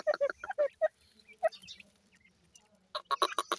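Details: Grey francolin (teetar) chicks calling for their mother: a burst of short, clipped peeps, then a pause with faint background rustle, then another rapid run of sharp chirps near the end.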